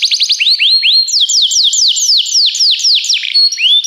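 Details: Belgian canary singing as a training recording: rapid series of bright downward-sweeping whistled notes, about four per second, shifting into longer slurred glides and a sustained high tone near the end, all high-pitched and clean.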